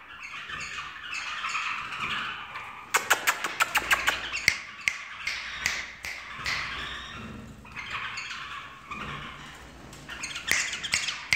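A bulbul chatters and warbles continuously in bright, jumbled phrases, while a run of sharp finger snaps cracks through the middle and again near the end.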